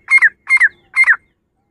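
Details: Female grey francolin giving three harsh squawked notes about half a second apart, each a flat tone that breaks into a downward slur, against a silent background.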